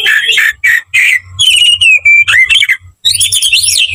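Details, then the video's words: Aggressive magpie-robin fighting song: rough buzzy bursts, then pure drawn-out whistles falling in pitch, and a final jumble of fast high warbling notes. "KICAU KACER TARUNG NGOTOR FULL ISIAN"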